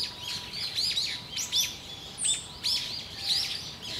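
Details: Eyebrowed thrush calling: thin, high, downslurred chirps and short squeaky notes come in quick irregular bursts, several overlapping, over a faint steady hum.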